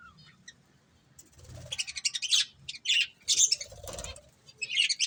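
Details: Budgerigars, a breeding pair, chattering in bursts of buzzy, high warbling, with fluttering and rustling sounds between the calls.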